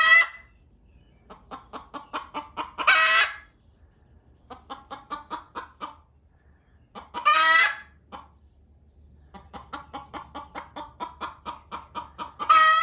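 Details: Two hens that laid their eggs in a barn, one loudly hurrying the other off the nest. Accelerating cluck series, each ending in a harsh, drawn-out squawk, three or four in all, with quiet gaps between.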